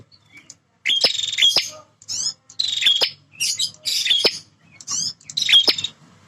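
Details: Male bar-winged prinia singing to defend its territory: buzzy, scratchy bursts with sharp clicks, about four phrases in six seconds, a soft low hum beneath.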